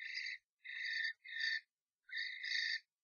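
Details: Three common starlings fight inside a nest box after a strange starling enters the box of a pair; harsh, grating screeches in four rasping bursts, each under a second, with short gaps.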